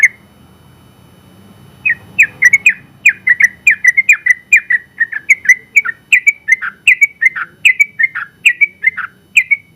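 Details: Sooty-headed bulbul, winner of first place in an open-class singing contest. After a short quiet start it launches into a rapid series of ringing, slurred whistles, each note bending down and back up, continuing to the end.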